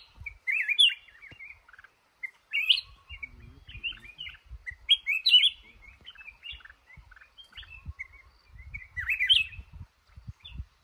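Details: Male red-whiskered bulbul in a trap, called the boss of a cashew orchard, singing short bright whistled warbling phrases in bursts about every two seconds, with soft low thumps and rustling beneath.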